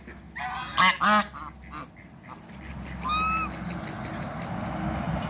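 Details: Toulouse and African geese kept together in a backyard, where they produced a new hybrid. Two loud, harsh honks come close together early on, followed by softer nasal calls and a brief thin rising whistle over a steady low background hum.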